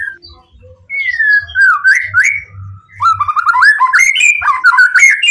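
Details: White-rumped shama singing at full emotion to lure other shamas into replying: a long gliding whistle, a few slurred notes, then a brisk series of quick, rising warbled whistles.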